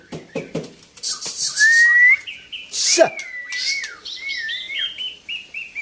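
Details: Long-tailed Belorok white-rumped shama from Medan gives long drawn-out rising whistles and sliding notes, then shorter stepped whistles, over loud clicks, rustling bursts and thuds.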